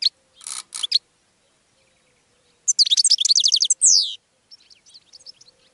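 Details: Goldfinch song used to attract other birds. A rough, scratchy note and a few chirps open, then a quick run of twittering notes with a falling slurred finish, trailing off into soft distant twitters.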